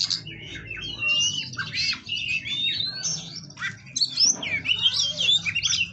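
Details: White-rumped shama kept at an Indonesian breeding facility, pouring out a fast, dense stream of whistles, slurred sweeps and scratchy chirps with barely a pause, bright and high-pitched throughout over a soft low background hum.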